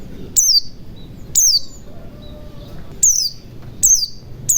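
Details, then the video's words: White-eye song to stir other birds into singing: clear, falling high-pitched whistles, about five across the stretch, each brief and bright, over a low hum. "pancingan pleci macet bunyi agar cepat gacor"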